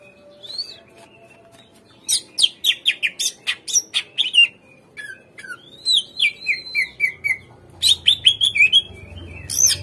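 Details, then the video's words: Captive greater green leafbird song played as a lure to prompt other birds to respond and sing, with bursts of harsh squawky notes mixed with fast slurred descending whistles and chattering phrases, in varied rapid sequences. "PANCINGAN SUARA CUCAK IJO | AGAR CUCAK IJO BAHAN MAU NGERESPON DAN GACOR"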